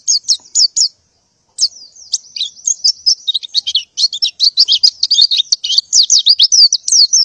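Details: Female white-eye in breeding condition calling males to mate in the morning: a few high chirps, a short silence, then a long, dense burst of rapid twittering.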